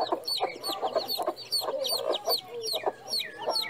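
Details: Chicken on a farm giving short bursts of low clucks among a steady stream of shrill, down-curving chick peeps, some longer whistled notes near the end.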